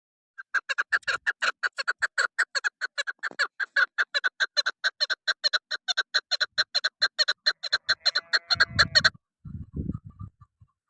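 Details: Female chukar partridge call used as a lure when hunting: long series of short, harsh clucking notes repeated about two to three per second for nine seconds, followed by a few low rustling thumps.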